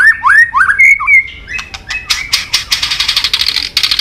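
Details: White-rumped shama training song of long, varied forest voices. Rising, sweet whistled notes and a held whistle open it, followed by a fast series of harsh, buzzy clicking bursts.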